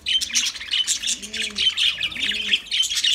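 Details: Lovebirds singing: continuous shrill twittering and sharp high squeaks, busy and unbroken, with a couple of faint low coos in the background.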